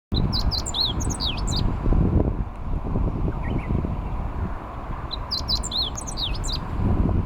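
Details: Meadow bunting singing on a riverbank levee on 29 May 2021, heard from a bicycle. Two brisk phrases of high, varied chirps and down-slurred notes, each about one and a half seconds, come roughly four seconds apart over a heavy low rumble of wind.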